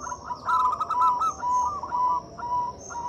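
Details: Local zebra dove, a lively loud singer, its song used as a lure to get mute or quiet doves singing: a continuous stream of fast, stuttering, bubbling coos, with a steady high-pitched whine in the background.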